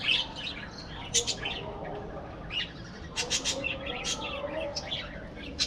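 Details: Budgerigar colony in an aviary giving sharp, high-pitched tweets and twittering notes in irregular bursts, some bright clicks standing out, with a faint low hum underneath.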